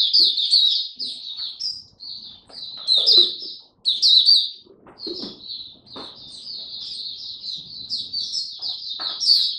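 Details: Kept Oriental white-eye in song display, 26 November 2022, given a light supplement dose; bursts of very high, slurred twittering phrases, loud at first, then a long even chattering warble, with faint knocks and clicks behind.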